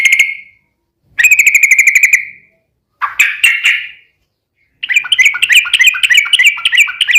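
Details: Yellow-vented bulbul (trucukan) long rattling "ropel" song, played as a lure to provoke other bulbuls into singing: four bursts of fast, buzzy chattering notes with short gaps between them. The last burst is longer, with bouncing, warbled notes.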